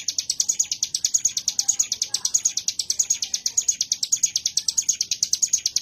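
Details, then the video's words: Prinia called ciblek gunung, singing its 'wave shot' in ngebren style: continuous rapid-fire high notes, sharp and metallic, repeated about eight per second without pause. "Tembakan Gelombang Ciblek Gunung"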